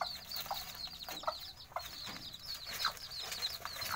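A brood of bantam chicks peeps continuously in high, thin, overlapping notes.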